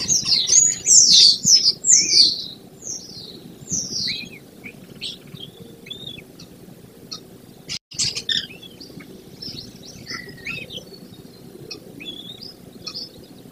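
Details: Nesting American kestrel pair at a barn-side nest box above grassland near Prairie du Chien, Wisconsin, 28 May, around dawn. Loud burst of shrill, falling notes repeated about twice a second, fading into softer scattered chirps, with a brief knock midway.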